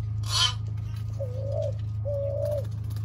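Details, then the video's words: Several spotted doves in Thailand, some young, 19 September 2023: a brief harsh rasping burst, then two drawn-out, smooth, low coo notes rising gently at the end, over a continuous low hum. "Thai spotted doves, some young"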